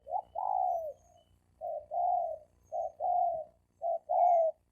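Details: Wild-caught male spotted doves cooing in a fighting challenge against each other: a short coo followed by a longer, slightly falling coo, repeated in pairs about once a second, with a faint low hum underneath.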